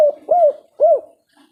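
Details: Spotted dove used as a lure for birds slow to sing, giving a three-note coo. Two soft, rounded, arching coos about half a second apart, preceded by a short clipped note, in a quiet setting.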